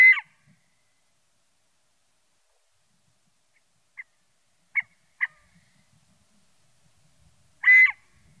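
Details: Scaled quail call: a loud nasal note, then three faint, clipped notes after a long pause, and another loud burst at the end, with quiet gaps between.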